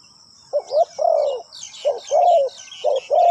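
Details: Caged decoy spotted dove cooing to draw in wild doves at a ground trap. Deep, mellow coo notes follow close together in a rolling phrase, while small birds chirp faintly higher up and insects hiss steadily.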